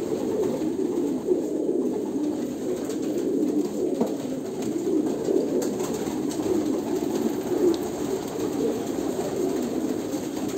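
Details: A flock of Kolkata pigeons fills the air with deep, soft, bubbling coos that overlap constantly, with occasional small knocks and rustles.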